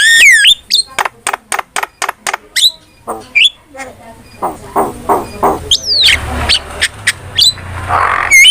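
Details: ['Starling training song, a steady series of sharp chirps and whistled down-slurs followed by softer buzzy notes and rising squealing whistles over faint low background noise.']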